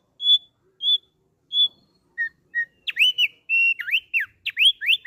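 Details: Sweet song from a captive thick-billed heleia: three spaced high piping notes, two lower short whistles, then an accelerating burst of rising slurs and steady whistles in a clean quiet setting.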